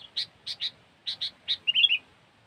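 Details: Kutilang, the sooty-headed bulbul, in a lure recording: short sharp chip notes spaced apart in pairs, ending in a quick bubbling warble.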